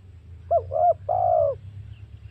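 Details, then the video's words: Spotted dove lure call, used to provoke wild doves when hunting: two short rising coos, then a long, slightly falling, buzzy coo. A low steady hum sits underneath. "SUARA PIKAT MEMANCING EMOSI SEMUA TEKUKUR//COCOK UNTUK BERBURU"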